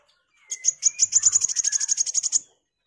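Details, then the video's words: Sunbird singing vigorously, a recording meant for training magpie-robins: a two-second trill of about fifteen rapid, very high, sharp ticking notes at an even pace, with a faint thin whistle underneath. "MASTERAN KOWUL GACOR || KOLIBRI WULUNG, KOLIBRI WAYANG"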